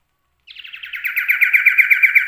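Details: Common iora (cipoh/sirtu), a male songbird kept for song, full of copied phrases from other birds; a rapid chattering warble around mid-high pitch, building steadily louder with pulsing repeated notes.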